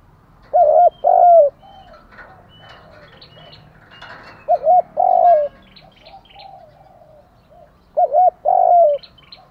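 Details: Spotted dove lure cooing at morning, used to provoke birds: three phrases of paired short coos and a longer falling coo, roughly every three and a half seconds, amid background chirps and a low murmur.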